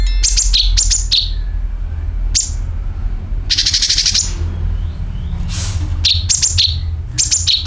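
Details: Sooty-headed bulbul calling and nyeret sounds played to lure birds: clusters of quick piercing chirps falling to slurred lower notes, a dense buzzy rattle near the middle, then more chirp clusters, over a constant low rumble.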